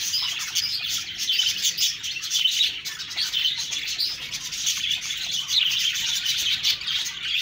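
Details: Budgies produce a steady mass of high twitters and quick chirping notes, with some louder pulses spaced irregularly.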